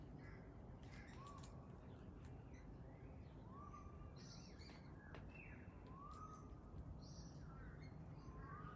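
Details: Pale-headed rosella: soft rising whistled notes repeated about every two and a half seconds, with scattered high chirps from other birds over a steady low rumble of background noise.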